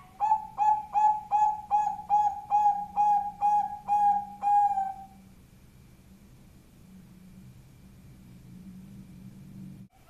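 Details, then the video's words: Zebra dove of the Bangkok type, used as a lure, gives a powerful run of about ten clear, evenly spaced cooing notes over five seconds. A faint low hum remains after the notes stop. "pancingan perkutut bangkok suara power"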